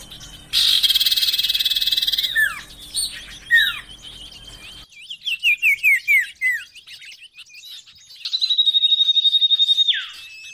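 Common Iora song: high, rapid trills broken by sharp downslurred whistles and a burst of short chips, ending in a long buzzy trill that drops away. Faint background hum early on.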